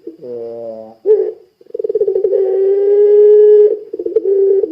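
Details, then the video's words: Spotted dove, puter pelung type, calling in a lively gacor style to prompt other doves to answer: a low vibrating coo, a sharp note, a pulsing trill, then a long drawn-out steady coo, repeated. "Suara Burung Puter Pelung Gacor Bikin Puter Pelung Langsung Ikutan Gacor"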